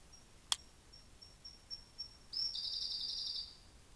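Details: Siberian blue robin in Minami-Karuizawa's Hocchi area, Japan, June, 3 pm: a sharp click, a sequence of faint high ticking notes, then a loud rapid trill of about a second.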